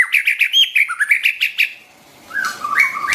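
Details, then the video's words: White-rumped shama, recorded to teach song to young and newly caught birds: a quick string of about a dozen bright, clipped whistled notes, a brief pause, then lower slurred whistles. "tiếng chim choè lửa hót cực hay"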